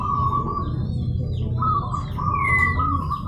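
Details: A local zebra dove calls to goad rivals into calling back. A steady run of quick pulsed coos holds one pitch throughout, broken by a brief pause, while a rising whistle from another bird and a low hum sound behind.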